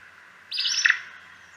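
Acadian Flycatcher giving its single explosive two-part song, a sharp buzzy 'pizza' about half a second long with an emphatic, rising second note.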